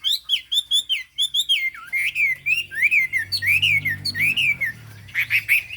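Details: Chinese hwamei singing high, a bird with a fig-leaf tail and turmeric-yellow bill: rapid runs of loud whistled, looping notes in quick bursts, then lower slurred phrases, over a faint low hum.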